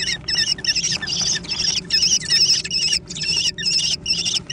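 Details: Young American kestrels competing for food, repeating quick harsh high squeals in short bursts with wobbling upper notes, about two per second, separated by brief silences.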